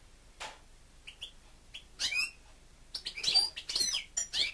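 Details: European goldfinch kept as a pet, starting with scattered single chirps and a sharp note, building into a dense run of rapid twittering and buzzy phrases.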